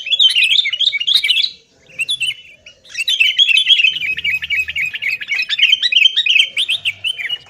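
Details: Lure recording of sooty-headed bulbul in noisy fighting mood: short bursts of sharp wavering notes, a gap near 2 seconds, then a long continuous stream of rapid chirps with faint low hum in the background.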